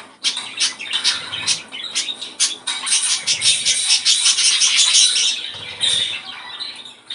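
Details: Budgerigar song intended to stimulate breeding: fast, continuous twittering and chattering with rapid clicking squeaks, growing denser and louder toward the middle before easing off.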